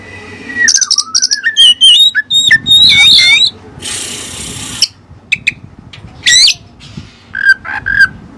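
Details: Oriental magpie-robin (kacer) with Cililin song material: a drawn-out whistle dipping then rising, quick varied chirps and warbled phrases, a long harsh hissing burst, then scattered sharp notes and short whistles.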